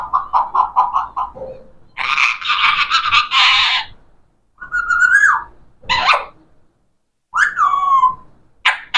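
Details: Talking parrot giving a quick run of rhythmic clicking syllables, then harsh noisy squawks and several falling whistled, speech-like phrases.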